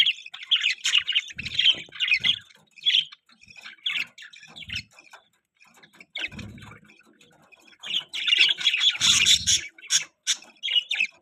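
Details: Newborn budgerigar chicks chirp in quick, high, rasping twitters, bunched into busy bursts with short quiet gaps, plus occasional soft low knocks.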